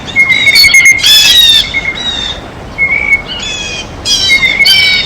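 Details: At a feeder, a feeding blue jay gives short rasping squawks mixed with thin whistled notes, the bursts irregular and spaced about a second or two apart.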